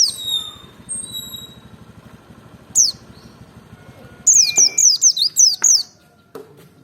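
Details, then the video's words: High, thin whistles and a lone note from a Merapi white-eye, followed by a brisk string of shrill, down-swept notes in ngalas dobel style, sung to provoke others into song. "pancing emosi pleci merapi ngalas dobel buka paruh 100℅ ikut bunyi"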